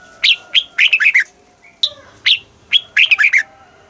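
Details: Southern master-style song of a Thai red-whiskered bulbul, played to stimulate caged birds; two lively phrases of loud whistled notes, each opening with single upslurred notes and ending in a rapid tumbling run.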